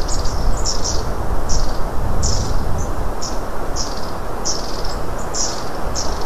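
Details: Several high, thin long-tailed tit calls from birds nearby, recorded 24 January 2017, coming in irregular bursts roughly every half second above continuous low-pitched background rumble.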